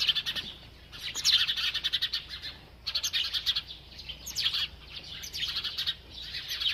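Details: Sparrows chirping naturally in a village while playing and bathing: dense, high, twittering chirps in overlapping bursts, with a short lull near the third second before the busy chatter resumes.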